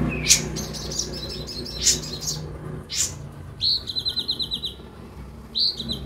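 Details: Caged kolibri ninja sunbird used as a lure for newly bought birds to start singing: several sharp high chirps, then a fast rattling high trill of about ten notes and a final short trill, with low background hum.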